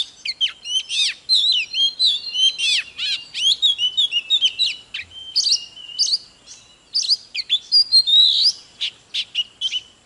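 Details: Oriental magpie-robin in full 'kích lửa' song while dancing, delivering a long, varied stream of loud whistled slurs, quick trills and sharp chips over ten seconds, barely pausing.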